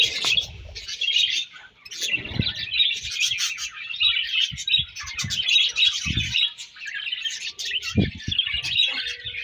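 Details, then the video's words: Colony of budgerigars in the morning: dense, continuous warbling chatter of many birds, with overlapping high chirps and buzzy trills running throughout, plus occasional low knocks and thumps. "𝑩𝒖𝒅𝒈𝒊𝒆𝒔 𝑪𝒐𝒍𝒐𝒏𝒚 𝑪𝒉𝒊𝒓𝒑𝒊𝒏𝒈 𝑺𝒐𝒖𝒏𝒅𝒔 𝑰𝒏 𝑻𝒉𝒆 𝑴𝒐𝒓𝒏𝒊𝒏𝒈"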